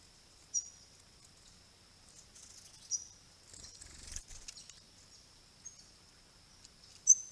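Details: Rare swift parrots visiting a rural pond among flowering grey box trees in March 2022, picked up by a property camera: sharp, high, metallic chips, scattered, with a loud final note, over a constant high whine and brief rustling.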